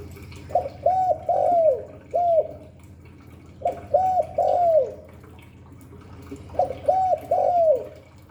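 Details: Spotted dove (cu đất) cooing in the 'Hạp Bổi' voice style: three phrases of three or four short arched hoots, the third longest and sliding downward, the fourth set apart, spaced about three seconds apart over faint background hiss.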